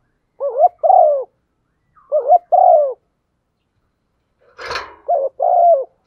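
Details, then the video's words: Female spotted dove stimulating a male, three well-separated pairs of soft low coos, a short rising note followed by a longer falling one, with a brief sharp knock before the last pair. "Tiếng chim cu gáy MÁI kích trống, chim cu mái thúc gù"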